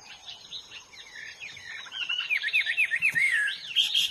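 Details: Hwamei singing in the wild: after a quiet, thin opening, a fast run of slurred, looping whistles begins, rising and falling in rapid succession and growing louder toward the end.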